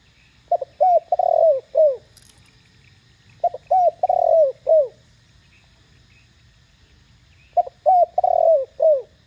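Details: Loud, clear Thổ Đồng-voiced spotted dove call meant to incite other doves to respond: three phrases of short curved coos around a longer sustained coo ending with a falling note, spaced by quiet gaps, one faint brief click.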